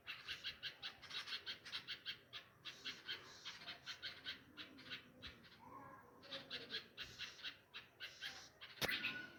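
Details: Nightingales mourning lost chicks near a tree nest by flowering pomegranate plants at a home, after a cat heard them chirping. A long, steady series of harsh, rapid chirps pauses briefly, resumes, then ends with a sharp click.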